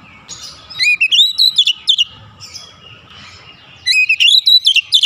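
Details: Agitated Oriental magpie-robin pouring out its mimicked fill-in phrases: bursts of bright, sliding whistles and sharp chirps in two quick runs separated by a near-silent pause.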